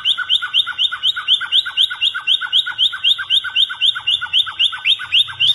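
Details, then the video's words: A White-rumped shama (blorok murai batu) in full song gives a fast, harsh run of chattering notes, about four a second, each a buzzy downward-sweeping chip, steady and unbroken. "murai batu blorok gacor Skali Denger Langsung NYAUT"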